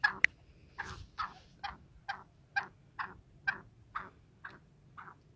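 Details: Free-roaming black francolin (kala teetar) giving a series of eleven brief, grating clucks, evenly spaced roughly every half second and fading slightly toward the end, with a sharp click near the start.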